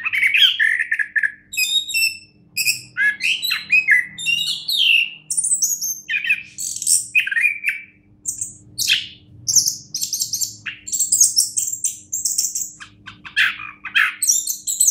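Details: Long, varied song from a champion orange-headed thrush: descending whistles, buzzy trills and crisp chirps follow one another in quick succession, with a low background hum and faint rumble.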